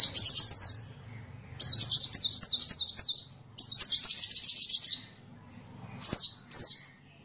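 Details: Sunbird song for training songbirds: three dense bursts of high, scratchy twittering separated by pauses, ending with two sharp, downslurred single notes.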